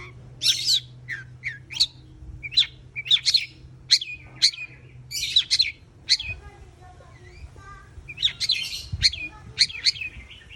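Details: Long-tailed shrike giving sharp high chirps and squeaky slurred notes in loose groups separated by short pauses, with a faint low hum in the background.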